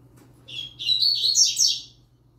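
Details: A young yellow-bellied seedeater, singing alongside a trinca-ferro, gives a rapid, high, twittering phrase of about one and a half seconds, slurred notes running together, over a steady low hum.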